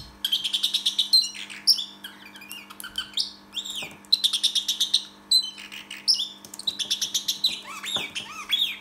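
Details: Pet parrotlet indoors imitating the R2D2 droid from Star Wars: bursts of rapid high chirps, warbled trills and swooping whistled sweeps rising and falling, beeping like a robot, over a steady low hum.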